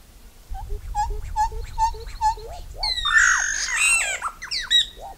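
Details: Solitary black cacique, locally called iraúna-de-bico-branco, bauá or boé: a run of short, evenly spaced mid-pitched notes, then a loud burst of jumbled squawks, harsh rasps and ringing whistles with slurred falling notes at the end.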